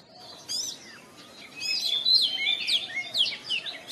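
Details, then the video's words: Morning song of a kept oriental magpie-robin, meant to stimulate other caged birds. Rapid sharp downslurred notes and chattering phrases tumble over a steady hiss of background noise. "TERAPI KACER BIKIN RAMAI OCEHAN DI PAGI HARI"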